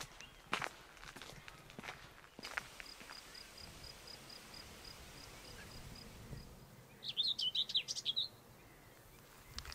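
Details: Common whitethroat in the Parc du Marquenterre, Somme, France: one brief, scratchy, hurried warble near the end after a run of faint high ticking notes, with thumps and rustling early on.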